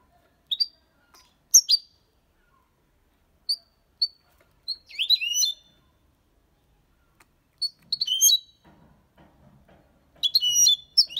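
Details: European goldfinch, six months old, singing the Malaga copy style with points and motifs (colios, quejas and ornaments): scattered short high chirps and whistled notes, then quick twittering bursts separated by long pauses, with faint low background murmur.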